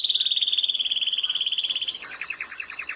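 A canary sings a fast, even, high rolling trill for two seconds, then drops into a lower, choppier run of rapid repeated notes.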